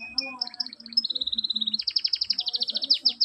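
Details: Canary song used as a tutor recording to prompt quiet canaries to answer: a fast run of high chirps and a buzzy rolling trill, then sweeping repeated notes rising and falling in steady rapid series, with faint low background hum.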